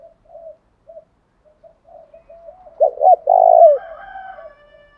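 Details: Decoy spotted dove used to stir wild rivals to fight, giving soft scattered low coos that build into two sharp short notes and a long loud coo, followed by faint higher chatter.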